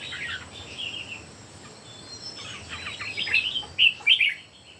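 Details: Three red-whiskered bulbuls in a song contest: soft, buzzy, warbling notes that build into a few loud, sharp whistled notes at the close.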